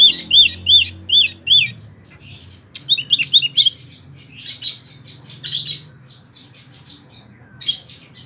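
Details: Small caged wambi singing busily in a rolling style: bright, high chirped notes, first a run of four quick rising-and-falling slurs, then scattered twittering phrases, over a faint low hum.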